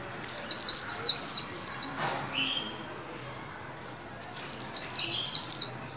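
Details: White-eye kept in a cage and trained to sing, new year: two bursts of five to six fast high falling notes, repeated after a pause of about two seconds.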